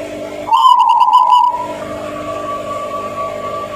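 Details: Zebra dove (perkutut, Banjar Petung type) singing: a quick burst of about six soft, rolling mid-pitched coos in one second, over a steady faint background hum.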